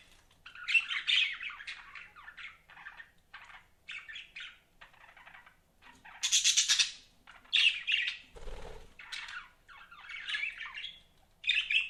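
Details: Pet budgies giving scattered scratchy chirps and short warbled phrases, quieter in places, with one louder squawk burst and a low thump in between.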